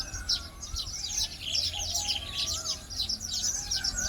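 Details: Early-morning chatter of weavers: many overlapping high, buzzy chirps forming a busy, unbroken chorus, with faint lower whistles from other birds.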